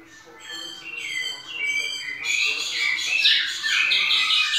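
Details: White-necked thrush singing in the pianado style: a dense run of bright, overlapping high whistled notes that grow louder and busier toward the end, with a faint low hum beneath.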